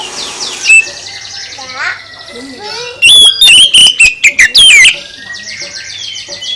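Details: Song of an oriental magpie-robin, used to make other birds answer. Softer twittering of other birds leads into a loud two-second outburst of high whistles, chips and slurred phrases, then background chatter resumes.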